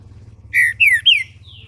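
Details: Caged Green-winged saltator in Brazil warming up its song: three full whistled notes, one steady and two sliding downward, followed by a faint high falling whistle, against a low mechanical hum.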